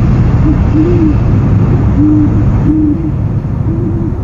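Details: Owl filmed by a nest camera in the early afternoon, 1:44 pm, 13 January 2015; a run of soft, low hoots in quick succession, some gently arched, against constant low-pitched rumbling.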